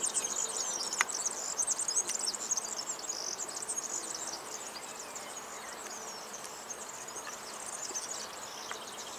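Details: European serin singing a very high, thin, rapid jingling trill that runs almost without pause for about nine seconds, sizzling and insect-like, loudest in the first four seconds then slightly softer, over faint steady background hiss.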